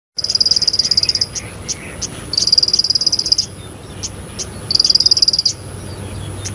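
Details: Bar-winged prinia in full song: three bursts of rapid, high, dry pulsed trills, each about a second long and separated by short pauses, with a few isolated chips between and steady background hiss.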